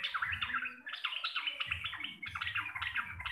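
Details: Sooty-headed bulbul of the local Javanese type, a lively chattering 'receh' song. Short bright notes are bunched into rapid bursts, with brief pauses between groups, over a faint low hum.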